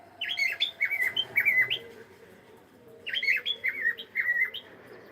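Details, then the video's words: Pet cockatiel saying hello indoors: two bursts of bright, warbling whistled notes, each a quick string of rising and falling chirps, with a pause of about a second between bursts. "is saying hello"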